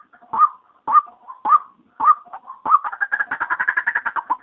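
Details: Female white-breasted waterhen call used as a daytime lure to draw waterhens in: a series of squawky, mid-pitched notes about every half second, then a fast, run-together burst of rapid notes.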